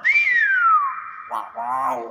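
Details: Common hill myna: a loud clear whistle rising then sliding down and holding steady, followed by a lower harmonic nasal phrase, with a voice speaking nearby.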